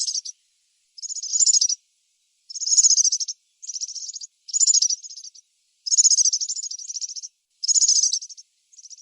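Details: Wild European serin singing in nature: high, fast jingling trills in bursts of about one second, separated by short pauses, with seven phrases in nine seconds and no other sounds.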